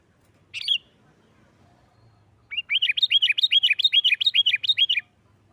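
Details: Sooty-headed bulbul giving a noisy 'nggaruda' song that provokes other bulbuls to sing. A single sharp chirp, a pause, then a rapid, steady string of about fifteen rising-falling warbled notes.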